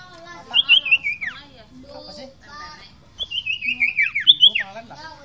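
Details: Common iora, called sirtu or cipoh, singing 'fighter gacor' for masteran: two bright whistled phrases, each a string of quick notes sliding downward, separated by a quiet pause with faint background voices.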